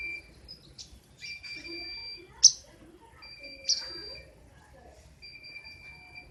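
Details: King konin giving sharp, loud besetan song: repeated long, level whistles of even pitch separated by pauses, broken by two abrupt, sharp clicks. The background is a low, steady hiss.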